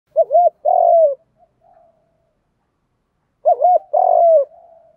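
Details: Spotted dove decoy cooing in a Vietnamese-style lure recording of male and female calls used to provoke doves: two clear low cooing phrases, each a pair of short hooked notes then a long slurred coo, about three seconds apart.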